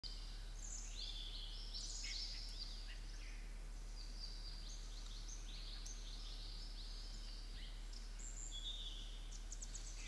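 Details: Black drongo, a feisty bird; many sharp, high whistled and chattering notes, clipped and overlapping, repeated rapidly through the recording over a steady low background hum.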